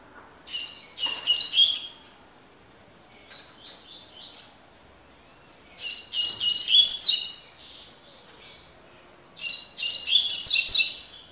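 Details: Double-collared seedeater, described as having fibre, giving tui tui (tocó) style song. Three loud bursts of fast, sharp, twittering notes arrive about every four seconds, with softer short whistled phrases between them and near silence otherwise.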